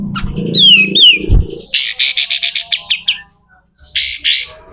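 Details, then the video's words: Kapas tembak, the pied triller, in rough besetan kasar style for training other birds: slurred whistles over low rumbling background, then a rapid rasping series of buzzy notes and closing harsh bursts. "SUARA KASAR‼️katem gacor dor, masteran burung"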